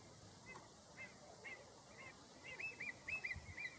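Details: A pied avocet calls because it does not like other birds around it, giving clear, fluty 'kluit' notes, sparse at first, then quickening to about two per second, with soft wind and rustling underneath.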